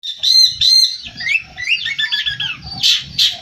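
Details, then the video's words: Long-tailed shrike in full, varied song: two loud harsh notes, then a rapid jumble of scratchy warbles and squeaky mimicked phrases, ending with two more harsh bursts; low thumping noises underneath. "cendet gacor full isian"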